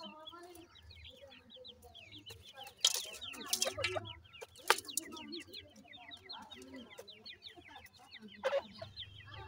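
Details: Several captive teetar chicks, the grey francolin, calling in a continuous stream of thin, falling peeps, punctuated by brief loud scraping or rustling bursts.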